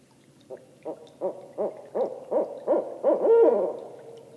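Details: Ascending call of a barred owl: about nine short, evenly spaced hoots swell steadily in loudness and end in a long, sliding note that tails off.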